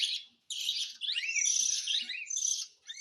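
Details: Cockatiel begging while hand-fed. A long, shrill, buzzy squeal carries a rising and falling whistled tone through its middle, after a short opening rasp, and is followed by a final burst of rasping.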